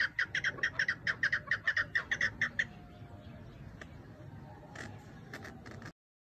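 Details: A chukar partridge, a hunting decoy bird, gives a fast run of harsh, clucking chuk notes, about a dozen in under three seconds, then a few scattered later notes over low background noise.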